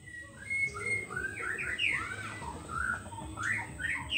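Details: White-rumped shama song played as a lure to attract wild birds: varied rich whistles with rising and falling slurred notes around mid-high pitch, continuous phrases over a steady low background hum.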